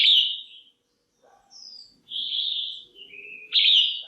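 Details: Caged female red-whiskered bulbul calls to draw males or for pairing: a loud whistled note that fades, a pause, then a high thin note, a long wavering whistle dropping in pitch, and a final strong note.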